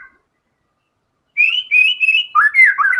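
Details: White-rumped shama singing vigorously, showing its full repertoire of imitated isian material: after a quiet start, loud clear whistled phrases near one octave, then rapid jumbled warbling notes dropping and rising in pitch.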